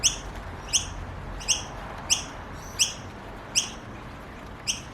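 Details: Noisy miner chicks in Australia calling for food: short, sharp, high chirps with harmonics, repeated roughly every three-quarters of a second, seven calls in all, over a low background hum.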